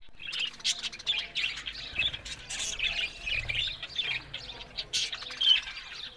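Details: Pet budgerigars chattering softly in a steady, warbling murmur of squeaky, buzzy notes, with a few brighter chirps standing out now and then.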